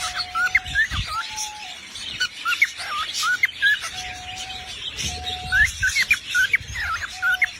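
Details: Bright looping whistles and upward flicks from a parrot, broken by short flat lower tones and a few soft knocks.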